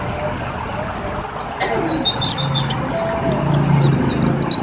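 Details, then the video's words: Pleci (white-eye), a cage bird treated with water to make it sing readily, delivering a fast run of thin high chirps and slurred twitters in bursts, over a low background hum. "Terapi Air Untuk Burung Pleci biar Cepet Nembak"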